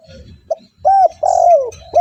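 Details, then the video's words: Spotted dove call for luring doves: a short note, then a loud arched coo followed by a long bending coo that slides downward. "TEKUKUR GACOR 💯 Ampuh untuk pancingan burung tekukur bahan"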